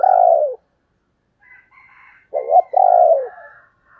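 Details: Female spotted dove with a native field-style voice, used as a lure for wild males: deep, throaty, slightly falling coos, one long note, then a short stuttered pair and another drawn-out coo, with faint higher tones between.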